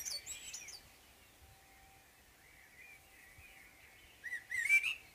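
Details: Morning song of a common blackbird: soft, low-level warbling through the middle, then a clearer rich whistled phrase near the end, with a brief higher twitter at the start.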